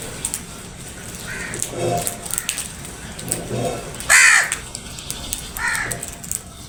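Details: Crows squabbling over food; several harsh caws spread through the clip, one loudest burst in the middle, with people talking in the background.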